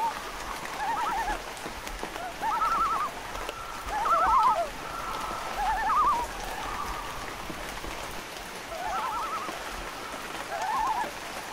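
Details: Loon giving repeated quavering tremolo phrases every couple of seconds, partly masked by steady rain-like noise.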